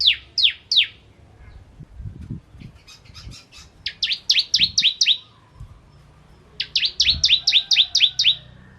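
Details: Bar-winged prinia singing vigorously, used as tutor song for white-rumped shamas: bursts of sharp downslurred whistles, first three spaced notes, then two quick runs of about seven, with soft low thumps between.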